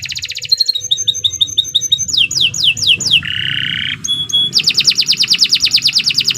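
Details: Indonesian canary (Kenari Nusantara) song, a long continuous display: fast repeated whistled trills, sweeping descending notes in rapid series, a harsh buzzy rattle, then a loud rolling trill, delivered almost without pause.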